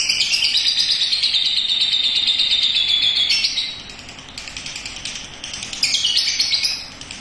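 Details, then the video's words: Young lovebird singing ngekek on a house terrace. A long, steady, high chattering trill lasts over three seconds, softens, then returns in loud, dense bursts. "LOVEBIRD PAUD NGEKEK DI TERAS"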